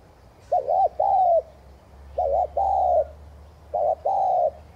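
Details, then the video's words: Spotted dove in 'thúc gù' cooing style, used to spur other doves into cooing: three phrases, each a doubled short hooting note followed by a drawn-out, slightly descending coo, with a low hum underneath. "Chim cu gáy THÚC GÙ kèm bổi kích bổi nhanh nổi hiệu quả"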